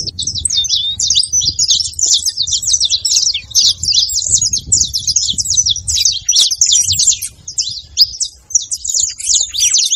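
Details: Saffron finch song played to stimulate and warm up a quiet canary: a dense, continuous run of rapid high chirps and trills, with short sweeping notes packed closely together and a faint low rumble underneath.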